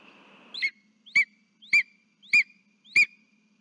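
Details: Lesser spotted eagle carrying a frog at the nest, calling for its mate, 3 September 2023: five piercing, downslurred yelps at an even pace of roughly one every 0.6 seconds, with a steady high hum behind.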